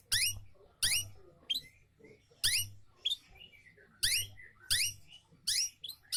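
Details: Lure song of a long-tailed shrike, meant to get other birds singing: sharp, scratchy upward strokes repeated about every second, with softer slurred notes between them over a faint low hum.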